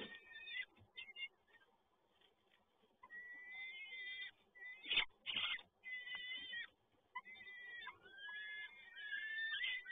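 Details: Peregrine falcon at a Toruń nest site as the male arrives with another prey delivery, 7 May 2022; harsh, wailing harmonic calls come in uneven bursts with short gaps, one loud clatter near the middle, faint background hiss.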